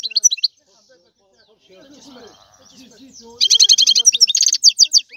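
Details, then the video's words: European goldfinch song: bright chirps, a quieter murmuring pause, then a dense, fast run of high twittering notes with a buzzy stretch, closing in separate sharp chirps. "لا يمكنك ان تسمع اقوى من غناء هذا الحسون"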